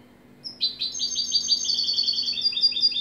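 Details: Jilguero, or European goldfinch, delivering one continuous run of fast, high, bubbling twitters that shift slightly in pitch as the phrase rolls on, over a faint low hum.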